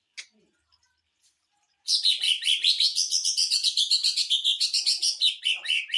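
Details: Greater green leafbird's 'tembakan mesin jahit' (sewing-machine burst) song, used for training and provoking rivals: after a quiet start, a four-second stream of fast, harsh, buzzy trilled notes that wavers up and down.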